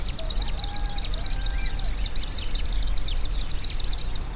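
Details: Scrub tanager (Stilpnia vitriolina) song: a fast, steady run of very high, thin chirping notes, several per second, held for over four seconds, with a faint low background rumble.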